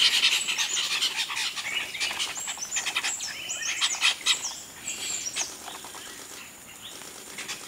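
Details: Chestnut-tailed starlings, also called grey-headed starlings or mynas, give a busy stream of high, squeaky chirps and scratchy notes, dense for five seconds and then thinning to a few faint calls.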